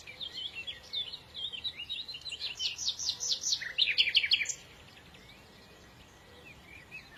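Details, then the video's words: Small birds in lively song: quick high twittering notes that build into a fast series of loud, sweeping chirps before stopping abruptly into near quiet. "تغريد العصافير"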